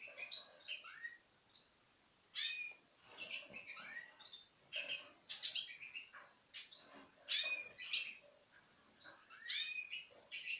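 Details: Pairs of citril finches from 2016 feeding from the hand; busy bursts of high twittering chirps, some with short rising notes, coming in dense clusters with brief pauses.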